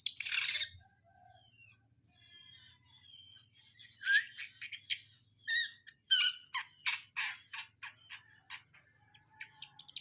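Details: Indonesian long-tailed shrike, locally cendet, opening with a harsh rasping burst, then a run of thin whistles, chattering phrases and scratchy notes, loudest in the middle and trailing off into soft whistles.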